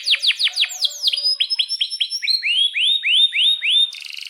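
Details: Vigorous canary song with chirps, played to stimulate other canaries and teach young birds: steeply falling chirps, then a sequence of rising, arched whistled notes repeated regularly, closing with a short buzzy trill.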